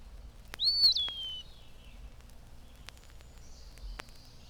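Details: An eastern wood-pewee in spring, singing from shade trees all day, gives a plaintive drawn-out whistle calling its name that climbs then slurs slowly downward, followed later by a faint, thin high whistle and a few soft clicks.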